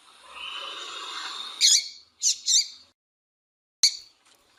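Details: Female double-collared seedeater calling, played to stimulate males to sing: after a soft hiss, a sharp high chip, a quick pair of similar chips, then one final chip, all short and bright with silent gaps.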